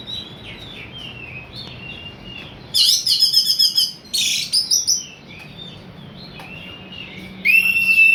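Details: Orange-headed thrush, a lure recording used to provoke other birds to sing; loud bursts of rapid high rattling, buzzy notes mid-clip after soft whistled phrases, ending in a strong sliding whistle.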